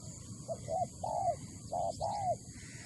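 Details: Spotted dove from Malaysia cooing: a quick short note, then two drawn-out, slightly falling coos, followed by a pause and another long coo pair, clear over a quiet low hum.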